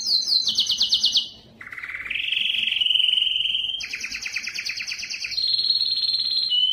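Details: Belgian canary song used to rouse females for mating: a rapid high trill drops to a low, smooth rolling tour, then rises again into fast buzzy trills and a steady whistled close.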